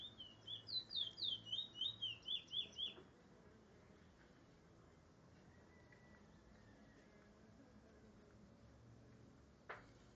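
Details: Trinidad bullfinch at Barrackpore singing a fast, high warbled phrase of about ten rapid sweeping notes over three seconds, then quiet low background hum and a single sharp click near the end.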